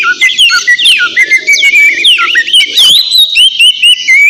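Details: White-rumped shama in loud, busy song played as a lure to provoke a rival; rapid varied whistles, sweeping slurs and sharp clicks packed between mid and high pitch, almost continuous for four seconds.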